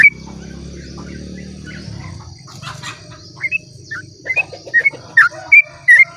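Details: At dawn a sooty-headed bulbul sings in 'ropel' style, meant to prompt other bulbuls to sing; a low rumbling background fades, then quick whistled notes come in bursts, growing louder toward the end, with a constant high insect drone.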